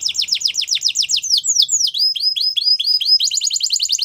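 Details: Belgian canary singing as a training song: a quick run of descending whistled notes, slower swooping slurs, then a rapid rolling trill of repeated notes at the end.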